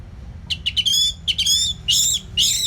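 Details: Orange-headed thrush singing continuously as a tutor recording for training competition songbirds: short bursts of high, bright, buzzy-edged notes, then longer ringing phrases, over a faint low hum.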